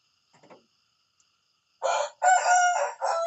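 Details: Morning crow of a rooster: faint low clucks, a pause, then a loud, raspy, strongly harmonic crow broken into three sustained segments.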